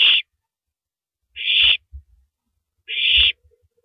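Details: Night recording of an owl tearing at and then downing a large rabbit, April 9, 2012, 3:33 AM; three raspy, breathy screeches about 1.5 seconds apart, with dull tearing thuds in the gaps.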